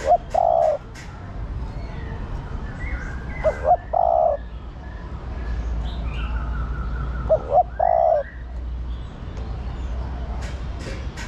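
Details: Calling female spotted dove urging on the male. Three soft coo phrases, each of brief notes leading into a sustained low coo, are spaced several seconds apart over twittering background birds.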